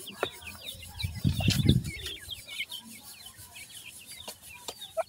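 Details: A brood of grey francolin chicks for sale in Multan keep up quick, high, falling peeps. A burst of loud handling rustle early on and faint clicks are also heard.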